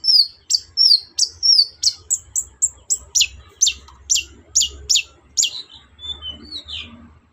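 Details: Long-tailed shrike singing in the morning, used to provoke other birds into answering: a fast run of about fifteen sharp, high, scratchy notes, starting as quick downslurs and ending in softer, descending chips.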